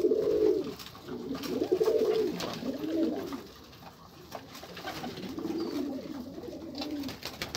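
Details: Pigeons in a small room coo in repeated low rolling phrases, several bursts rising and falling over a few seconds, with faint background rustle and clicks.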